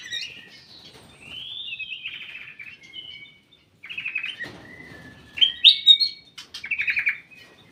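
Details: In a private aviary, a ruby-throated bulbul gives a run of sliding whistled phrases, some rising and some falling, broken by short gaps and ending in bright, rapid chirpy bursts.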